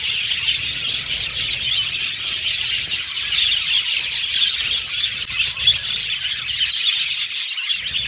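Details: Aviary budgerigars singing and chirping while playing with their cage; many overlapping high chirps form an even, busy chatter throughout, with a short lull near the end.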